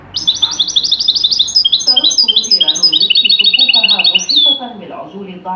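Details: European goldfinch singing a distinctive original Tunisian song style used for tutoring goldfinches: rapid, bright twittering of high tinkling notes and short buzzy trills, with Arabic narration murmuring underneath.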